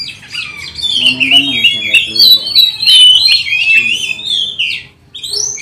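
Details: Oriental magpie-robin singing loudly as a lure to train and provoke other magpie-robins; dense, fast, overlapping high whistles and chattering notes run almost without pause, sliding up and down, with a faint low murmur underneath.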